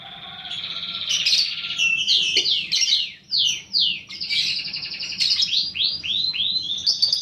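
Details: Lure recording of a paud balibu fighter lovebird to stimulate fighting lovebirds: sustained high chattering with many quick downward-sweeping notes in a fast run.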